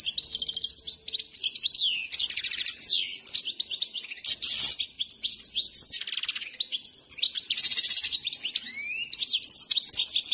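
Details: Trained Himalayan goldfinch singing: a long run of bright, buzzy twittering and trilled phrases with quick rising and falling sweeps, uneven in loudness, broken by a short harsh noise burst near the middle.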